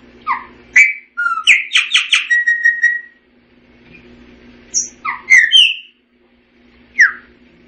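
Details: Song of a Chopi blackbird with variations, rich whistled notes, then a rapid series of harsh repeated syllables tailing into a steady whistle, later more slurred whistles over a low background hum.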